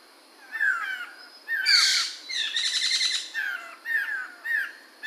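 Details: Singing Chinese hwamei, called poksay mantel or Medan, 2021: loud, varied song of descending whistled phrases mixed with rapid trilled notes and bright high flourishes, delivered in bursts about every half second.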